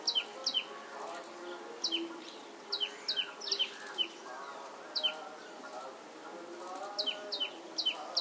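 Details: Sparrow singing: sharp, high downslurred chirps, often in pairs or short runs, repeated every second or so over a steady low hum and murmur in the background.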